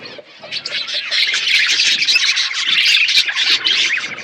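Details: Budgerigars kept in an aviary with a forest backdrop produce a continuous, crowded stream of bright chirps, warbling trills and scratchy notes, many birds calling over one another at a fast, uneven rhythm.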